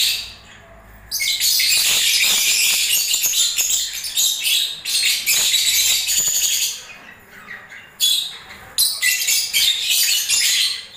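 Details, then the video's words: Lovebirds during breeding season chattering in long, dense bursts of shrill, scratchy chirps and squeaks, broken by a couple of brief quiet gaps. "Love birds singing and movements"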